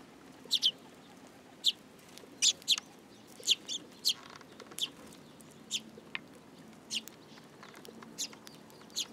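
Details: Sparrows landing on a person's hand at a Tenmangu shrine on 8 July 2022 give short, bright chirps, some doubled, at an uneven pace of roughly one per second.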